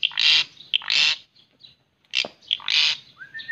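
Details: White-rumped shama delivering loud, harsh, buzzy bursts in quick succession, separated by short clipped notes and brief pauses, ending with a thin rising whistle.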